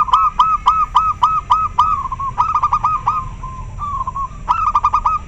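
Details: Local zebra dove with a very clear voice, answering another bird: a dense stream of loud, ringing, beaded coo phrases, bursts of rapid pulses alternating with smoother rolling notes.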